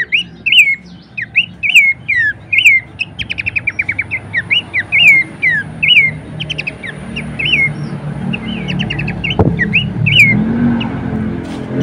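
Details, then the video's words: Horsfield's babbler song, used as training material for songbirds: loud slurred whistled notes, each dipping then rising, repeated about twice a second, mixed with quick rattling bursts of short stacked notes; low background hum throughout. "masteran dan pancingan bunyi khas burung pelanduk semak"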